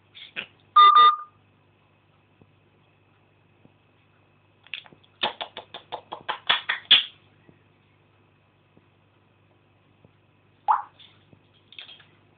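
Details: Jake, a pet African grey parrot, chatters in bursts while mimicking a phone and other noises: a clear electronic-style beep, a quick run of clipped clicking syllables, then a single swooping whistle, in a quiet room.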